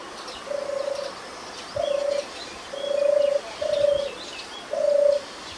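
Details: Wild European turtle dove, a shy bird of lowland farmland with meadows, shrubs and trees, purring its song: five low, even purring phrases, each about half a second long, spaced roughly a second apart, with faint higher bird chirps behind.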